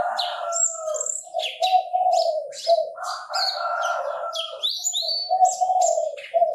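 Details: Chinese francolin calling almost continuously: harsh, buzzy, rasping notes in a broken series. A louder stretch comes midway. Quick high chirps and whistles from other birds sound above it.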